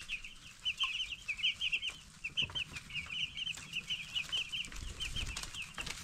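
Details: A flock of broiler chicks aged ten days keeps up a steady stream of high, thin peeps, each note short and slightly falling, repeated several times a second in clustered bursts over soft knocking sounds.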